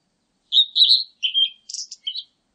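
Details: Blue-and-white flycatcher phrase: sweet whistled notes, a lower slurred whistle, then a scratchy high buzz and a couple of short twittering notes at the end, clear and close.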